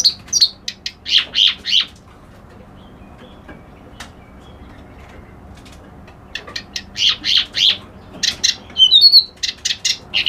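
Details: Reed warbler singing in two bursts of repeated grating churrs, separated by several seconds of near silence; the second burst adds quick high whistled twitters.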